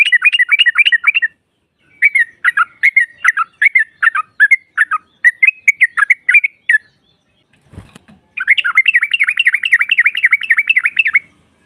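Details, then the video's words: Female trucukan (yellow-vented bulbul) singing, used to provoke rival birds: fast chattering bursts of bubbly notes, a pause, more broken chatter, a brief low thump, then a long rapid rolling run. "SEKALI PUTAR SEMUA TRUCUKAN NYAUT NGROPEL Seketika"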